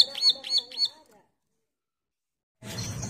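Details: Bar-winged prinia, a female in breeding condition calling its mate, used as a lure: three quick sharp high chirps in a row, then silence and a burst of rough background noise.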